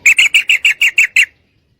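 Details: Female sooty-headed bulbul calling a male to mate; one close, loud run of eight evenly paced ringing chirps lasting just over a second.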